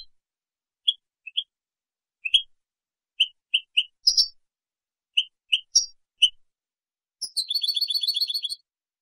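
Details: Spanish-type European goldfinch, clean song for educating juveniles: a run of short, high chirped notes spaced about half a second apart, some rising sharply, ending in a fast, evenly pulsed metallic trill. Clean, silent background.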